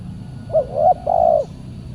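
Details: Spotted dove heard during a Saturday trapping session with a decoy, answered by a wild bird described as fierce; a single phrase of three soft hooting coos, the last longest, over low background hum.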